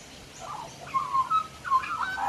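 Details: Male magpie lingering on a back deck sings softly to himself in a flowing chain of fluted, gently wavering notes, with short rising and falling slides.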